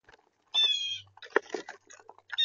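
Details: An angry blue jay, its lunch interrupted when starlings drop in, gives one loud, harsh, level call lasting about half a second, followed by scattered chattering and clattering bird sounds.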